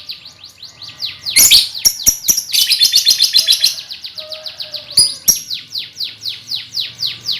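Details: Lovebird colony of young birds, used as a lure to prompt trilling: loud, rapid chirping, about three or four notes a second, falling in pitch, with sharp click bursts and a brief low tone.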